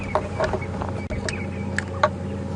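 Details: Red-billed buffalo weavers busy nest-building in a thick clump of branches overhead, Djuma Game Reserve, South Africa, morning of 30 Sept 2015, give short, bright chirps, four or so across a few seconds, over an idling vehicle's low rumble.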